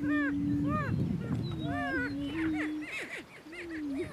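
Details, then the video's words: Male Greater Prairie Chickens fighting for dominance on a Kansas lek, northeast of the state; sustained low moaning hoots run throughout while arched, cackling whoops and squeals burst in quick succession over them. "Prairie Chicken Battle"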